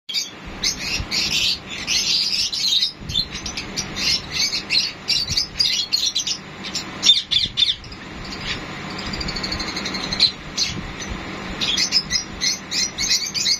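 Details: Sun conures during mating, giving dense bursts of high, squeaky chattering chirps and short squawks that come in rapid clusters, with brief quieter gaps near the middle and a faint steady low hum underneath.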